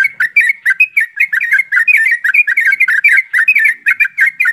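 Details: Lure recording of many yellow-vented bulbuls in quick, continuous song to coax birds to sing. Warbling, bubbly notes wobble up and down without a break, several voices overlapping in a lively jumble.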